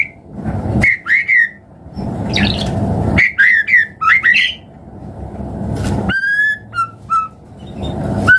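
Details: Lure recording of a white-rumped shama to make other birds sing: clusters of quick slurred whistles and chirps between stretches of low hum, ending with steady clear notes.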